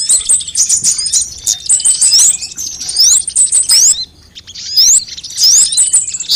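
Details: Mixed sunbird lure recording for drawing birds in and making them sing quickly: bursts of sharp, high twittering and upward-slurred whistles, interrupted by a clear gap around four seconds before the chatter resumes.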